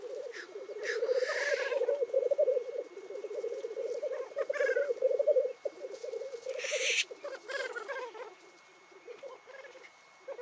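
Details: Black grouse lekking one morning in the Cairngorms National Park, displaying, calling and fighting: dense, continuous low bubbling rookooing, broken by loud hissing sneeze-like bursts near one second and again near seven seconds.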